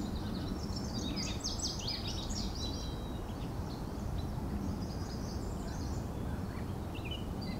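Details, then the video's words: A male hybrid Lazuli x Indigo Bunting sings at Crescent Drive Park on 9 June 2020, giving two bright, high phrases of quick sweet notes over a steady low rumble of wind or traffic. "Hybrid Lazuli / Indigo Bunting male singing"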